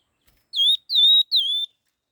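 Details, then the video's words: Three loud, evenly spaced whistles from a red-tailed laughingthrush in fast stimulating song, each sliding down and holding steady, with silence before and after. "Tiếng chim khướu lùi đuôi hung hót kích nhanh"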